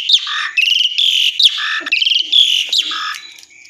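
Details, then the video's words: Vigorous, nonstop song of an Asian pied starling, a rapid run of loud whistles, buzzy rattles and sharp chattering notes strung together without pause. "jalak suren gacor dorr"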